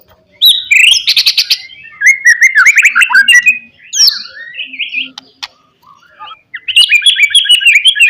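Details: Rival-provoking song of a white-rumped shama: dense bursts of rattling trills and rapid jumbled whistles, a short pause, then a renewed rush of fast warbled notes.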